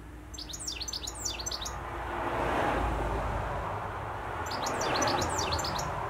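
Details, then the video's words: Goldfinch song recorded in Essex, bright liquid twittering phrases of quick high notes in two bursts, first and last seconds, separated by a quiet stretch filled with constant low vehicle rumble. "Gold Finch in song."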